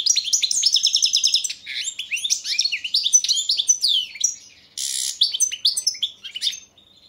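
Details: European goldfinch of the balcanica subspecies in a 2022 song championship entry: begins with a rapid rattling trill, then varied high chirps and slurred notes, a harsh buzzy burst near five seconds, fading out.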